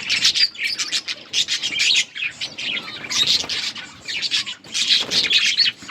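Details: Budgerigars in a breeding colony, many birds chirping at once: dense bursts of bright, scratchy chatter in quick overlapping pulses, with brief lulls.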